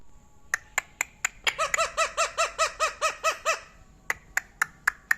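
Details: Ringneck parrot from India or Pakistan, said to speak Urdu and Hindi, gives a quick run of about a dozen arched, nasal harmonic notes. Sharp clicks come before and after the run indoors.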